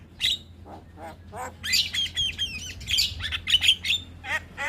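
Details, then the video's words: Javan myna song for tutoring mynas: a few scattered low croaks, then a lively run of high, sliding whistles and squeaky chatter mixed with harsher notes. "Masteran Jalak Gacor Untuk Semua Jenis Burung Jalak Auto Ngoceh Manggut2"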